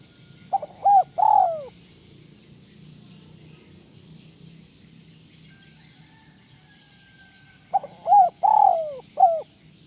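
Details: Spotted dove, kuk 1 melambung style song: two four-note cooing phrases about seven seconds apart, each with short coos around a long descending one and a sharp final coo; quiet hiss between.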